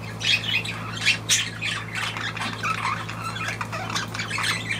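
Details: Pet budgerigar kept indoors, giving a dense run of scratchy chattering squawks and short chirps that come in quick bursts and swell and fade across the clip, over a steady low electrical hum.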